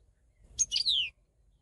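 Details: Single short goldfinch phrase: a couple of sharp high chips followed by a clear whistled note gliding downward, over faint low background noise.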